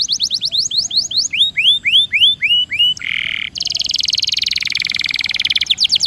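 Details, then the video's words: Canary lure song for birds slow to sing, aiming at the rolling style: repeated rising-then-falling whistled notes give way to a lower buzzy burst, then a long dense high trill and a few closing sweeps. "PANCINGAN KENARI MALAS BUNYI DIJAMIN NGEROLL!!!"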